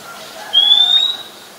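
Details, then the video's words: Oriental magpie-robin in Ubon Ratchathani, Thailand, in July 2021, giving one long, thin, slightly rising whistle lasting about half a second against a soft background hiss. "นกกางเขนบ้าน Oriental Magpie Robin (singing)"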